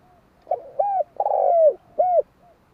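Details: One phrase from a spotted dove: a short double note, a smooth coo, a long buzzy note bending downward, then a final arched coo, with soft fainter coo fragments just before and after.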